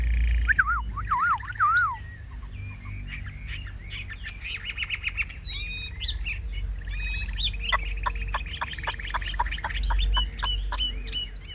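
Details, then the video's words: Caged Chinese hwamei singing well: wavering descending whistles, assorted chirps and slurred notes, then rapid sharp clicks and quick whistled bursts, with a low background hum. "Cao cầu hót tốt - bóng bộ cực đẹp - Họat Họa Mi"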